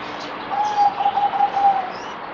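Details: Kept zebra dove (merbok) recorded 17 April 2020, fourth day of deworming treatment, giving a single run of quick, stuttered, mid-pitched coos lasting just over a second over faint background hiss.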